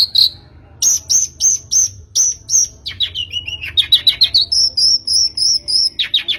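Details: Long-tailed shrike lure for coaxing a bird into song: spaced high chirps, then dense descending trills and quick notes ending in a sustained high whistled series.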